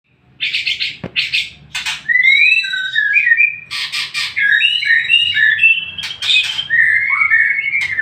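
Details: White-rumped shama song used as a lure to make other shamas answer: bursts of harsh buzzy notes, then a varied run of clear whistled phrases sliding up and down, continuous and loud.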